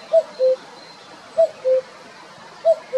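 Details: Male common cuckoo recorded on 23 April 2022 at Jarun in Zagreb, Croatia: clear two-note falling cu-ckoo, the higher note short and the lower one longer, given three times about every 1.25 seconds over faint background hiss.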